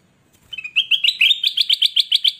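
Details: Captive Ruby-throated Bulbul in full song, used as a training recording for newly bought birds that are reluctant to sing: a bright, fast run of chirpy notes, about eight a second, rising at first and then repeating steadily, no other sounds.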